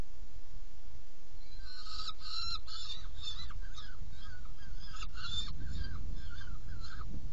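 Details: Feeding at a saker falcon nest box, 17 June 2018, 10:31: rough, harmonic calls come in two clusters, early and late, with softer calls between, above a continuous low rumble.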